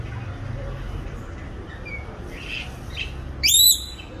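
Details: Coconut lorikeet (Trichoglossus haematodus), an introduced resident, preening its feathers in Singapore; after a quiet stretch, a single short shrill rising screech with bright harmonics sounds near the end.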